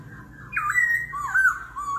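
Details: Short burst of laughingthrush competition song in forest voice, changing voice continuously in kéo thuốc lào style: a strong rising whistle sliding down into a wavering lower phrase.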